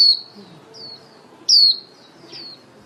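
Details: A female lure white-eye calls the flock for trapping with high, thin whistles that slide downward, one loud note at the start and another halfway through, fainter slurred notes between them and little else heard.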